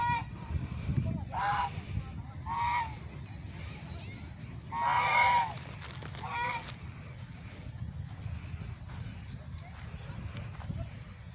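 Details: Swan making loud calls: four nasal, honking notes spread over about five seconds, the third the longest and strongest, over a steady low rumble of background noise.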